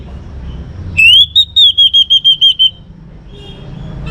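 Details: Young orange-headed thrush from Singaraja, North Bali, singing to encourage other birds: one long, high whistle that rises, then breaks into about eight quick, even pulses before fading, with low background hum.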